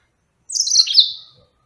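A yellow-fronted canary gives a quick, bright twittering burst of high, sweet notes that slurs downward and fades within a second. No other sounds.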